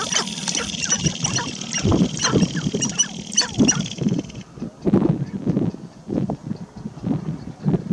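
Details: Male sharp-tailed grouse dancing on a lek to impress females walking through; low clucking, cooing and popping notes in bursts, with a high squeaky chatter early on, fading to irregular low thumps and calls.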